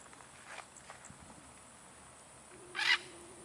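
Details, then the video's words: A military macaw named Koi flying freely, far and high toward distant buildings, gives one loud, harsh squawk near the end after two fainter rasping notes, over a steady high insect-like hiss. "military macaw single free flight"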